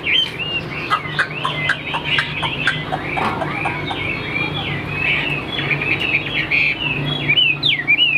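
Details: Tame caged Chinese hwamei singing well: a dense, continuous warble of quick slurred whistles and twittering notes, rising and falling without pause, over a steady low electrical hum.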